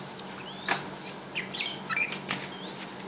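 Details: Singing while dancing and being massaged, a captive male Red-whiskered Bulbul raised from an orphan gives upswept whistles and short chirps. The notes alternate rapidly, with brief rustles between them and a constant low hum behind.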